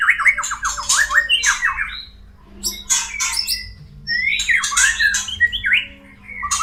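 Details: Murai batu, the white-rumped shama, giving mating calls that are meant to stimulate caged birds to breed. Rapid harsh squawks and scratchy bursts alternate with quick downslurred whistles in clustered phrases, over a constant low hum.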